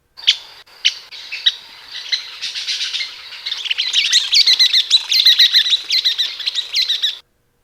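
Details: Western Kingbird giving excited, sharp, high kit calls that speed up into a busy run of squeaky, sputtering notes, strung together into a rapid song.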